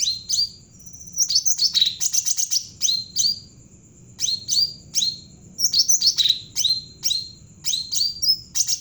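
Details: Actively singing Javan cucak ranting bulbul, meant as a lure to stimulate untrained birds: clusters of thin high chirps and descending whistled notes, some in fast rattling runs, broken by short gaps, with quiet low hum behind.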